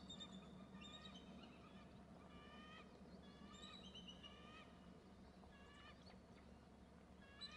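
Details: Two eagles perched side by side, both calling: several series of clear, harmonic, slightly rising piping notes, some rapid and chattering, with short pauses between bursts over a low steady rumble of background noise.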